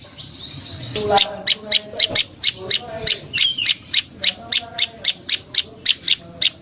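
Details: Prinia song used as a lure to make wild prinias answer: a fast series of sharp, high chipping notes at about three to four per second, steady and evenly spaced after a short thin whistle at the start.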